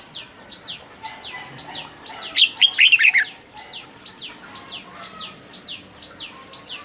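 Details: Song of a caged red-whiskered bulbul, played so that competition birds become lively: a single loud, rapid, chattering phrase in the middle. Many soft, evenly repeated downslurred chirps from other birds fill the background throughout.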